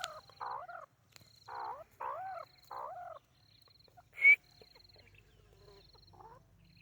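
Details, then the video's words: White-coloured francolin (teetar) bred in captivity at a home in Pakistan, calling: four loud harmonic notes that each rise and then fall, in quick succession, followed by a sharp high note, with a faint steady pulsed tone behind. "White teetar ki awaz"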